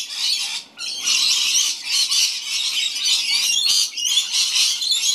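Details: Rainbow lorikeets in a large group feed at a Gold Coast home in the rain. Harsh, high-pitched squawks and rasping chatter pour out continuously, with one brief lull near the start.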